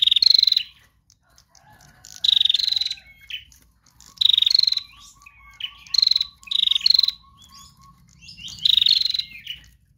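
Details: Female prinia song, trotol style, to draw in other birds: repeated rasping pulsed bursts, often doubled, over a faint run of soft even notes from another bird in the background.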